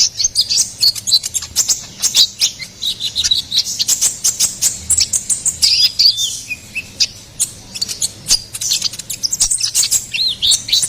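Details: Ruby-cheeked sunbird, recorded as a master song and lure for songbirds, delivering a long continuous twitter of thin, high, rapid chirps and clicks with short wavering whistles mixed in.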